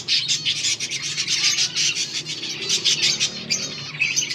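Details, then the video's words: Finches eating green food, recorded August 17, 2024, keep up a loud, dense stream of high chirps and trills with little pause, over a faint low hum. "Beautiful finches eating green food birds chirping sounds"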